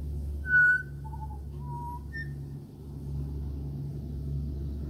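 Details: Three clear whistled notes from an Australian pied butcherbird visiting a house: a bright high note, then two lower mellow ones, followed by quiet with a droning rumble underneath.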